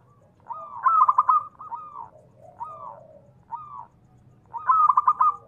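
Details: Zebra dove, local Indonesian type, voiced to provoke other doves into calling. Two loud stuttering coo bursts frame a few softer, slurred, drawn-out coos.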